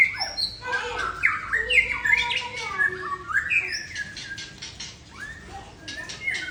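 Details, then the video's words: Long single-breath song phrase from a long-tailed Aceh white-rumped shama, loud varied whistles and squawky slurred notes tumbling together, then a stretch of dry rattling chatter before clear whistles resume at the end. "Murai Aceh Ekor Klewer Tarikan dalam satu nafas panjang"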